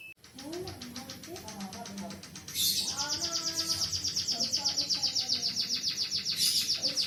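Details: Munia trained on canary song, kept as a cage bird: faint low sounds open the recording, then a loud, fast, high trill runs on steadily to the end.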